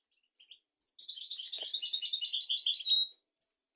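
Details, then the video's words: European goldfinch song, described as royal, for training goldfinches and canaries: a couple of introductory chirps lead into a sustained, fast, sparkling twittering phrase of about two seconds, ending with a lone chirp. "تغريد طائر الحسون ملكي"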